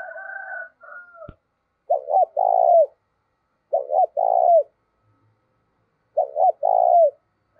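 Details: Decoy spotted dove, 'giọng thổ' voice used to draw wild doves: after brief higher murmuring notes, three mellow phrases of two short notes and an extended falling coo follow at roughly two-second intervals.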